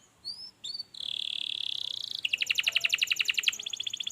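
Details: Canary song played to coax a lazy canary into singing: a few high whistled upslurs, then a sustained buzzy trill, then a fast, clipped repeated rattle of notes.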